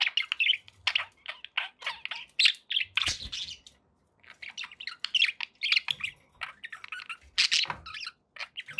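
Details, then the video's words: Budgies kept as pets give rapid, scratchy chirps and squeaky squawks in clustered bursts, with a short quiet gap midway before the lively chattering resumes. "1 hour of budgie sounds"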